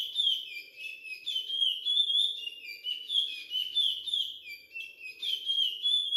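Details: Captive young pardo male Curió (Chestnut-bellied Seed-Finch), recorded at six months old, delivers the Maranhão Timbira Virado Clássico dialect: sweet, high, looping whistled phrases repeated in a fast, steady stream in a small room.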